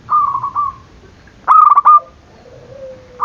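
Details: Zebra dove call to provoke rivals; a soft purring coo, then a loud stuttering trilled phrase, followed by a faint low falling whistle.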